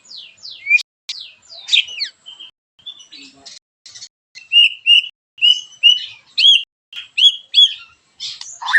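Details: White-rumped shama in full song, sharp rough 'tembakan' meant to make other shamas sing: high falling strokes, then a steady series of loud paired whistled notes repeated about twice a second.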